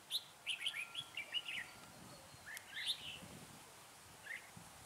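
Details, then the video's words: Red-whiskered bulbul lure bird for trapping, singing in cold wind at 12 to 15 degrees: a rapid run of bright whistled notes, then a louder warbled phrase and a brief final note, with wind noise underneath. "Bẫy chào mào Lạnh 12~15 độ mà vẫn nhiệt quá"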